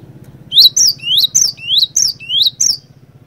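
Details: Lively cinereous tit used as a lure to start other tits singing: a rapid run of seven loud, rising whistled notes, evenly spaced and ringing, over a quiet low background hum.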